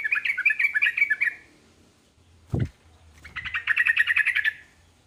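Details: Yellow-vented bulbul singing a phrase meant to draw replies from other bulbuls: two quick, bubbly chattering bursts about two seconds apart, separated by a dull thump and a short pause.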